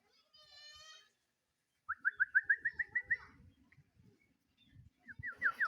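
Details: Sooty-headed bulbul calling out to a rival, singing eagerly: a brief harmonic buzz, then a rapid string of about ten bright, slurred whistled notes, and a shorter burst of similar notes near the end.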